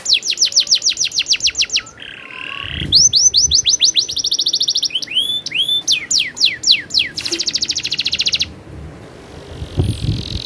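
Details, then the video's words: Domestic canary in full rolling song: rapid trilled phrases switching between fast high rattles, upswept whistled notes and a buzzy low roll, tour after tour with brief pauses. "suara burung kenari ngerolll super gacor"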